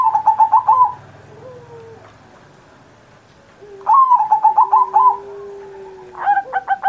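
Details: Zebra dove (perkutut) singing actively on Indonesia's 79th Independence Day, used as a master recording to prompt pet doves that are not yet singing; two bursts of rapid, pulsed, stuttering coos separated by a pause, a steady lower tone drifting beneath.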